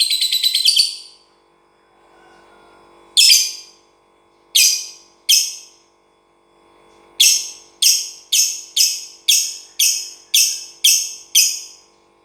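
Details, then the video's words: Lovebird kept outside a cage, giving harsh, buzzy chattering bursts: a long rattle, then single spaced notes, then about ten quick bursts in a rapid run near the end, over a faint low room hum. "Kicau lovebird tanpa kandang"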